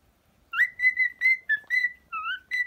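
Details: Pet cockatiel singing: a quick series of about eight clear whistled notes, some slurred upward, others flat, with short gaps between them and a quiet background.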